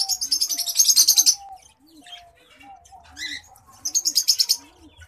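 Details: Courtship song of a white-headed munia, a rapid rattling series of high, pulsed notes, then a pause with faint chirps, then another fast high rattle; a low steady hum runs beneath.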